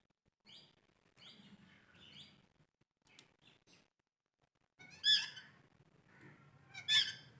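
A parrot gives short harsh chattering notes, then two loud rasping squawks about two seconds apart, over a low background rumble.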